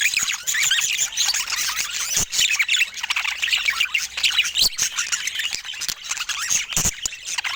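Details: Budgies as pets, several birds calling at once: a continuous high chatter of squawks, warbles and quick chirps, with occasional sharp knocking sounds.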